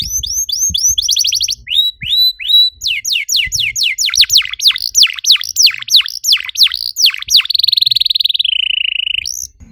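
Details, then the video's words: Canary singing used as a lure to stimulate other canaries: repeated whistled drops, deep swooping sweeps in quick succession, then a sustained buzzy trill ending in a sharp rising note. "PANCINGAN EFEKTIF BURUNG KENARI, CORR DORRR!!"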